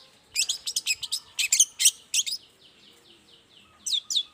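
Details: Long-tailed shrike singing in the morning to draw replies from other shrikes: a quick cluster of high, scratchy chirps, then a quieter stretch and two final sharp notes.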